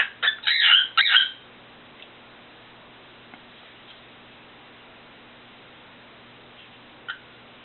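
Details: Pet cockatiel (Nymphicus hollandicus) singing: a quick run of loud, harsh whistled notes, then it falls almost silent.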